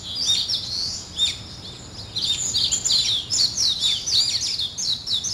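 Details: Dawn birdsong: a few scattered chirps at first, then a lively burst of rapid, high twittering notes, about four per second, from more than one bird.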